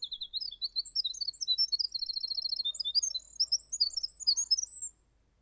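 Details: Big-voiced little winter wren song: a long run of high, sweet, rapidly tumbling notes with buzzy trills and repeated chips, loud and unbroken for about five seconds before stopping abruptly in quiet surroundings.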